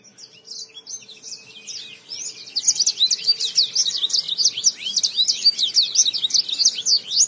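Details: Lemon finch singing vigorously: faint notes at first, then from about two and a half seconds a loud, dense run of quick downward-sweeping whistles and twitters that continues steadily to the end.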